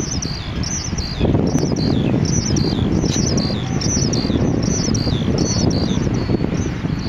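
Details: An Oriental skylark, a common resident bird in Taiwan, recorded at Wugu on 12 June 2011, sings a continuous stream of high, fast chirping phrases without pause over steady low wind rumble.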